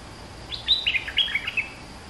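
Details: Olive-winged bulbul song from a male kept two months in a cage, used as lure recording: rapid liquid phrase of about eight gurgling, slurred whistles, each note dipping and rising, delivered in one tight run.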